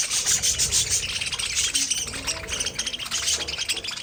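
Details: Pet budgerigars produce a continuous dense chatter of fast, scratchy chirps and twittering notes with no pauses, forming a busy warbling texture over a steady background hiss.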